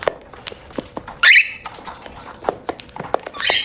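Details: Pet cockatiel calling while eating indoors: a short, loud, harsh chirp with upward-bending harmonics, then a second burst near the end, over steady crunching and clicking of food.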